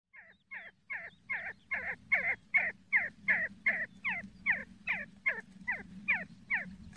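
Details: See-see partridge calling: a steady series of about seventeen short, double-toned notes, each a bright upper note over a falling lower one, about two per second, growing louder midway, with a low background rumble.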